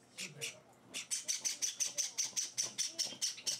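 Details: Pet Java sparrow chicks on their fourth day at home beg while being hand-fed. After a couple of opening chirps comes a steady, rapid series of piercing, buzzy peeps, roughly six or seven a second, over faint talking.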